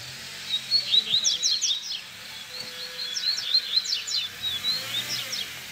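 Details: Double-collared seedeater in baderna-style song, meant to teach young birds. Steady high twittering of sharp up-and-down notes in repeated phrases over faint background noise.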